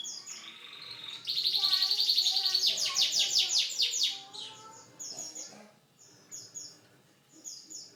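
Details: Canary delivering a loud, rapid rolling trill of repeated notes, then quieter scattered high chirps and short phrases.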